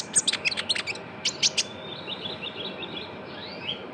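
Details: Young Javan white-eye, used as a lure recording to get other birds singing. Bright, sharp high chirps come in a quick burst, then a softer run of thin rising twitters fades out.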